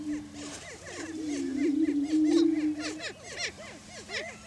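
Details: Greater prairie-chickens displaying for breeding territory on a lek in Washington County, Kansas: a low, hollow moaning boom of about two seconds against a busy chorus of quick, arching cackles and whoops from several birds.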